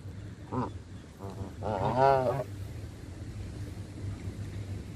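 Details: Canada geese taking food from a hand: one drawn-out, strongly harmonic honk stands out after a couple of faint shorter notes, then quiet with a steady low drone.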